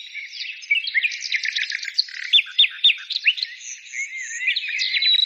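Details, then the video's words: Birds singing: a dense, high chorus of overlapping chirps, quick downslurred notes and short whistles, several voices at once with no quiet gaps. "birds singing"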